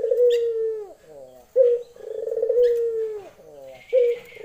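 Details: Female Barbary dove calling a male in the lenjeh style: drawn-out, purring coos on a steady low pitch, each ending in a falling slur, with a brief higher chirp between phrases.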